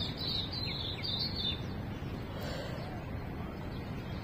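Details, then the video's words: Birds singing in the morning in Australia, a quick run of high chirps and short rising notes early on, then fainter calls, over steady low background rumble. "Suara Kicauan Burung Di pagi hari"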